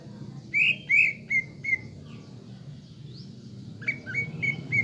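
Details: Caged-bird lure song of a greater green leafbird, played to provoke emotion and build fighting spirit. A few strong slurred whistles come first, then a quieter quick series of short level whistled notes amid a humming background.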